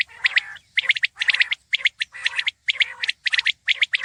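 Common Quail giving sharp, liquid three-note phrases, 'wet-my-lips', repeated about twice a second in quick succession. No other sounds.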